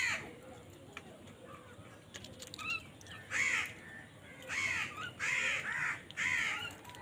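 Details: Crows fighting for food, giving loud harsh caws: a few faint calls early, then a burst of repeated rasping caws from about three seconds on, in uneven clusters, over a steady background hiss.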